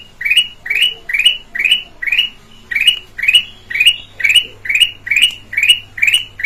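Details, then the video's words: Black-crested bulbul, red-eyed variety, singing clearly as a lure to set off other birds: a string of about thirteen brisk upslurred chirps, roughly two each second, with a quiet background hum. "Kutilang Emas mata merah suara jernih buat pancingan"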